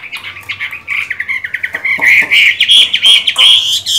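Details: Chinese hwamei with mung-bean green eyes, singing strongly while moulting: rapid run of loud, clear whistled notes, broken at first, then fuller slurred phrases climbing higher toward the end.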